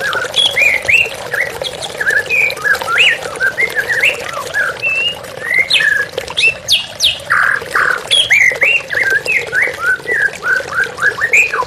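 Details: White-rumped shama in a therapy recording: a dense, fast stream of varied whistles, chirps and harsher squawky notes with short gaps between bursts, over a constant wash of running water.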